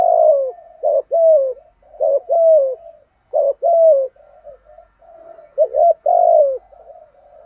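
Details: Spotted dove kept as a decoy in Vietnam, calling to provoke wild birds with urgent thúc and gù cooing: loud deep coos of a brisk note plus a longer falling note, repeated about every second, with soft murmurs between.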